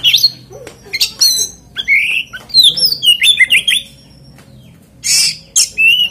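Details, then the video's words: An oriental magpie-robin pours out a continuous lure song to stir others of its kind: rising whistles, rich slurred warbles and sharp squeaks in close series, a lull, then strong buzzy bursts and a final whistle. "PANCINGAN KACER NGEPLAY ANTI NGRIWIK DIJAMIN KACER LAIN IKUT GACOR."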